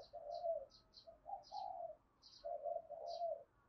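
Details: Spotted dove cooing to draw in wild birds: repeated low husky coos in uneven phrases, with brief high chirps of other birds above and a faint humming background.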